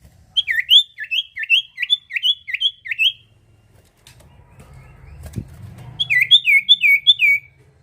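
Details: Sirtu bird singing energetically, its song used as a lure for other birds: a rapid string of sharp, down-slurred whistled notes, about seven in three seconds, then a pause with faint rustling and a thump before the series resumes.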